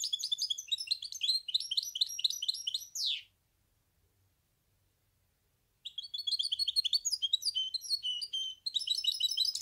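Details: Goldfinch hybrid (mule) in full song: a long, fast stream of high chirping and tinkling twitters ending in a descending sweep, a pause of about two and a half seconds, then the lively twittering resumes.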